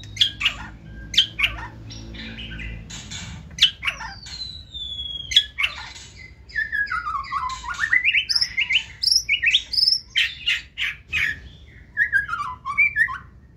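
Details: A 2024-season captive white-rumped shama sings its forest-voice song, running along the perch with tail held high: sharp clicks open, then a long sweeping whistle and a fast tumbling run of rising and falling notes.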